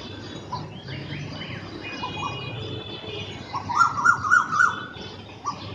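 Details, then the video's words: Pair of black drongos calling in the early morning in Bangladesh, calling together to establish territory: a run of about four clear, mid-pitched notes swelling in loudness midway, with fainter higher chirps and a low background hum. "Pair of Black Drongo calling - Early morning beautiful sounds"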